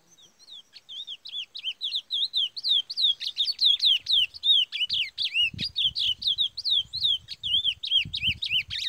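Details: Chestnut-bellied seed finch, a black male, gives a fast, unbroken run of clear, swooping whistled notes, about two each second, with a few soft thumps in the background.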